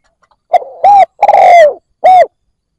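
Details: Close, loud cooing of a decoy spotted dove meant to lure wild doves: one three-note phrase with a prolonged downward-sliding middle coo between two brief hoots.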